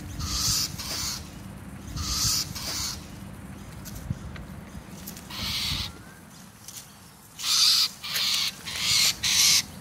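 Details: Injured Rainbow Lorikeet, grounded and presumed to have fallen from a tree at night, squawking as a dog approached: harsh, grating screeches every second or two, bunching into a rapid run near the end, with low background rumble throughout.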